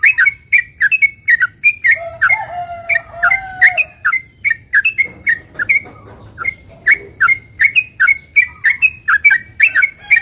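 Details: Long rapid 'ropel panjang' song of a sooty-headed bulbul used to make other bulbuls reply: dense chattering chirps, a brief pause midway with lower warbled notes, then the quick chirps resume; steady high whine throughout.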